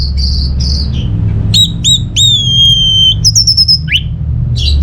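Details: Orange-headed thrush song used to coax silent caged birds at home into singing, from Singaraja, North Bali: clear high whistles, long level notes and sharp slurs, with a low-pitched hum throughout.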